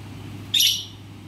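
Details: Pet Alexandrine parakeet gives a single sharp, loud, high-pitched chirp lasting about a quarter second over a faint steady hum.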